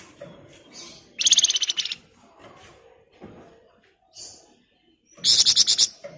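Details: Flamboyan bird singing in the rapid ngebren rapat, nyerecet style: two loud bursts of fast, evenly pulsed high chattering notes, each about a second long, separated by quieter soft chirps.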